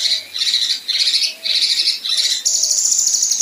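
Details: Female kinoi mixing 'besetan' and rough 'tembakan' for tutoring competition birds: four quick grating buzzy bursts that run straight into a thin, high, continuous rattling trill.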